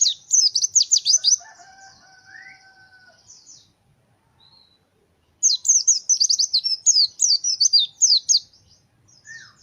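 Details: Indonesian pleci white-eye in full gacor fighter voice: two bursts of rapid high twittering chirps with a pause between, and faint lower whistles in the gap.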